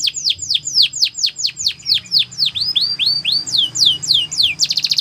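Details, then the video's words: Singing canary for song training delivers a fast run of downward-sweeping whistles, about four per second, gradually changing shape before ending in a brief rapid rattle. "The Best Canary Sounds !! Canary Training"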